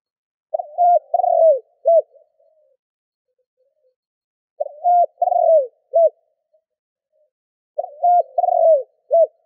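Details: Spotted dove decoy repeating its cooing phrase three times about three and a half seconds apart, each a short note, level hoot, long descending burr and brief final coo, used to provoke wild doves.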